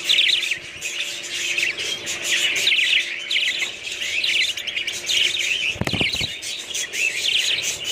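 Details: Chattering budgerigars: steady high chirps and warbles throughout, broken once by a brief knocking sound.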